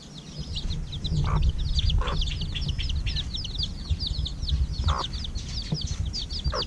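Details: Young chickens, hatched over a week ago, peep busily while being fed in the evening: many high cheeps, about three per second, overlapping into a chattering flock sound, with occasional dull knocks and low rumble.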